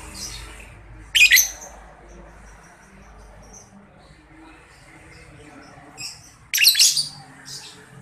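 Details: Young lovebird used as a lure so lovebirds respond: two clusters of piercing, high squawky chirps about five seconds apart, with faint chirps in between over a low hum.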